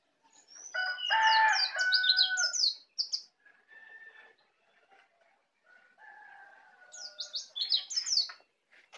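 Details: Young white-eye native to Bali, just beginning to learn the ngeplong song: bursts of rapid high thin chirps interleaved with lower steady tones, a quiet pause in the middle, then another high twittering burst.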